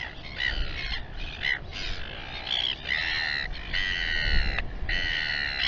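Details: Colony of royal albatrosses at Taiaroa Head, Dunedin, New Zealand, on a live camera: drawn-out, bleating harmonic calls in bursts with short gaps, from more than one bird, over rumbling wind noise.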